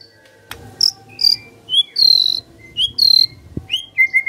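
A white-rumped shama sings varied, loud whistled phrases and buzzy bursts, high and rich, with short pauses between notes.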